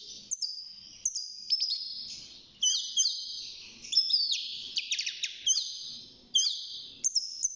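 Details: European goldfinch, a young caged bird six months old, just starting to sing: bursts of high tinkling notes and buzzy, rattling trills joined by long, level whistled slurs, with soft background noise.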